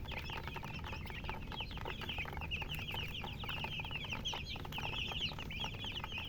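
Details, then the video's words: Baby chicks peeping continuously, a dense chorus of high, thin, rapid chirps overlapping throughout with soft scratching and shuffling underneath. ""Chicks Chirping""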